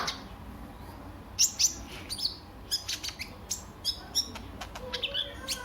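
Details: Lure song of a sunbird (kolibri ninja), meant to get birds singing: scattered, very high, sharp chirps and ticks in short clusters over quiet background hiss.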